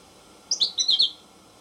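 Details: American goldfinch giving a brief, bright phrase of high twittering whistled notes, five or six syllables in well under a second, over quiet hiss.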